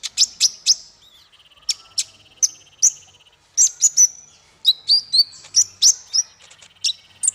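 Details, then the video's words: Lively masteran bird song for training small fighter birds: loud sharp chips repeated in quick series, with a buzzy ticking trill underneath and varied whistled notes later in the clip. "Masteran paling merdu untuk burung faigter kecil"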